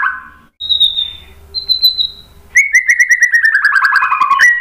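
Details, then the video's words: Singing white-rumped shama used to get other birds calling. A low note, then thin high whistles over a faint hum, followed by a fast descending series of slurred whistles. "KICAUAN MURAI BATU bikin NYAUT ikut BUNYI GACOR NGEPLONG BONGKAR ISIAN ¦ PANCINGAN MURAI"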